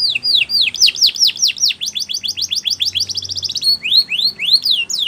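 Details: Canary song meant for training birds, built from rapid falling whistled notes that speed into a dense trill before slower upward-sweeping phrases.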